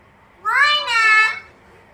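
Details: Original Chittagong hill myna, red-billed and yellow-footed, that says words such as baba, ma and moyna and imitates ringtones, utters a single voiced two-part word lasting about one second, nasal and rich in overtones, in a quiet setting.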